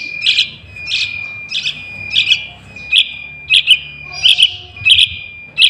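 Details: Calls of a young Yellow-vented Bulbul, used to attract wild birds for trapping: short bright chirps, often paired, repeated about eighty times a minute in a steady pulse above a constant thin tone.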